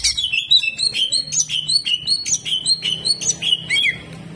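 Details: Full 'tembakan kasar' song from a greater green leafbird: continuous high chips and short whistled slurs tumble over each other in quick succession, loud and unbroken for four seconds.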